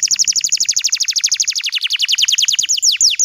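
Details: Bottle-green canary in full song, a tutor for young canaries learning to sing: a rapid, steady trill of sharp descending chips, slowing near the end into wider spaced downslurred notes, loud and clean.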